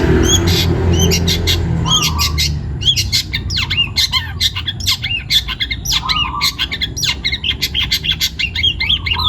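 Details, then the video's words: Energetic singing from a young wild-caught Long-tailed shrike in Central Java, Indonesia: dense strings of harsh, scratchy notes and quick chattering phrases with brief lower whistles, over constant low-frequency background noise. "CENDET PASTOL MUDA HUTAN (MH) GACOR BUNYI"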